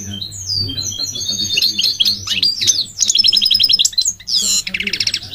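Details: Goldfinch's varied song: descending whistled notes, tumbling twitters, crisp repeated chips, and a final harsh buzzy rattle, with a soft low hum behind.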